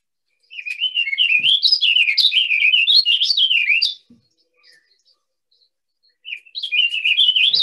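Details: A male Warbling Vireo, which sings all day from late April to mid-June, gives a long, rambling, whirling warble of quick slurred notes rising and falling, about three seconds, then starts again after a short pause.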